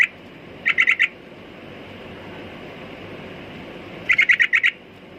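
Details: Sooty-headed bulbul giving two quick bursts of four to five bright, clipped chirps each, separated by a few seconds of quiet background hiss.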